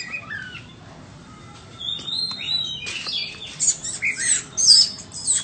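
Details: Quiet start with soft scattered whistles, then a white-rumped shama bursts into louder, high, buzzy and twittering phrases during the second half.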